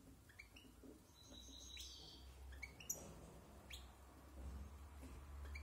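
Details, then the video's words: Year-old European goldfinch rehearsing its varied song in silvestrismo: a few bright, quick chirps and a short buzzy twitter, irregularly spaced, over a steady low hum. "Cante de Jilguero"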